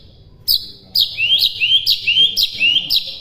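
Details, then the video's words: White-rumped shama training recording: a series of about six loud, sharp upward-sweeping whistles, each sounding like a rising 'sweet', repeated at short intervals. "MASTERAN MURAI BATU MUDAH DI TIRU"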